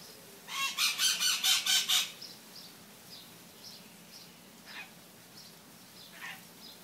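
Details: Maritaca parrots calling in the morning, their presence on waking called annoying: a rapid run of about six harsh, raspy squawks in under two seconds, then fainter scattered squawks from farther birds over a quiet background.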